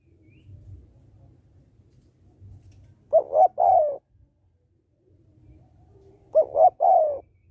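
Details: Female spotted dove giving calls meant to arouse males: two separate coo phrases about three seconds apart, each two quick notes then a longer sliding note, between quiet low rumbling.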